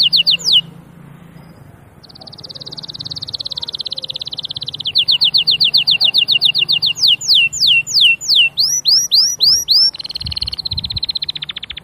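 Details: Canary song of varied tours: a steady buzzy trill, a faster run of sweeping whistles, a rolling series of slurred notes, and a final rapid trill over a low hum.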